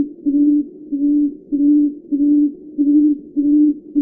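Tawny frogmouth giving a deep, soft humming oom-oom-oom, low steady notes repeated nearly twice a second; nothing else is heard.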